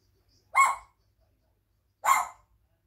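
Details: Pet African grey parrot at a window, chatting between bites of grapes, gives two loud, harsh, bark-like calls about a second and a half apart in an otherwise quiet room.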